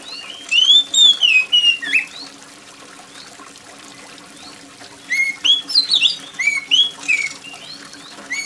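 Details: Oriental magpie-robin in loud, shrill gacor song, used to encourage sluggish birds to sing. Rapid sequences of whistled, slurred notes come in two bursts, with a quiet gap between, over trickling rainwater.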